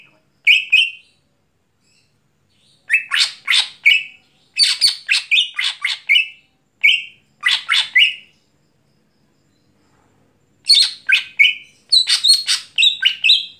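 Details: Greater green leafbird singing busily at night: bursts of loud, chattering phrases that mix clear whistles with harsh, buzzy notes, delivered in spurts of one to three seconds separated by brief silences, with no other sounds present.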